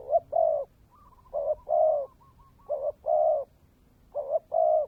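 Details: Decoy spotted dove cooing in the 'kèm dày' style: three closely spaced phrases of a quick doubled note and a longer hollow coo, with faint soft notes between them.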